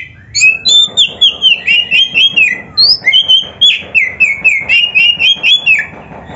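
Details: Oriental magpie-robin (kacer) in full, tightly packed 'isian' song: a rapid run of short bright whistled notes, about four per second, varying in pitch and sliding up and down without a break.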